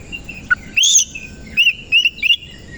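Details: Oriental magpie-robin in morning song with its tail spread: a few high whistled notes, a loud rising slur, then three quick repeated upswept whistles.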